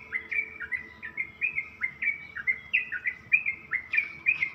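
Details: In the early morning, a Yellow-vented bulbul (Pycnonotus goiavier) sings a bubbly, chattering run of short rising whistled notes, about three each second, in a quiet setting.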